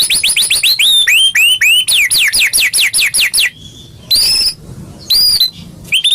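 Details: White-rumped shama song played to stimulate caged birds into singing: a fast run of repeated down-slurred whistled notes, about five per second, then a pause, a steady whistle and a few separate loud phrases.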